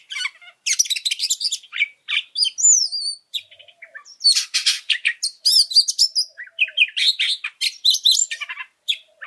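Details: Oriental magpie-robin song used as a training recording to provoke other birds: rapid varied phrases of sharp whistles, buzzy trills and sweeping high notes, dense and loud with brief gaps.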